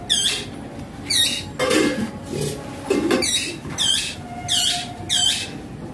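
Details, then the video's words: A talkative pet parrot talking with its owner; sharp, high arched squawks repeat about once a second, with a stretch of lower, muffled voice-like sounds in the middle and a steady electrical hum underneath. "Parrot mummy se baat kar raha hain || baatuni parrot"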